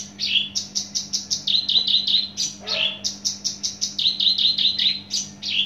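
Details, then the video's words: Caged Javan bush lark from Java in fast, loud song, rapid rhythmic chirps about four per second, with a brief harsh rasp midway and a constant low hum in the background. "branjangan javanica asli jawa volume dan spedd edan mantap"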